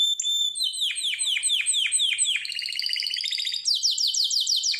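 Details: Harz Roller canary song meant for training: a steady high whistle, then a series of descending sweeps, a fast buzzy trill and rapid high repeated notes, tour after tour.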